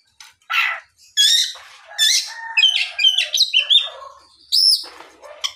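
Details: Afternoon song of an Oriental magpie-robin, played to prompt other magpie-robins to sing: varied whistled phrases, some rising and falling, mixed with harsher chatter in a continuous run.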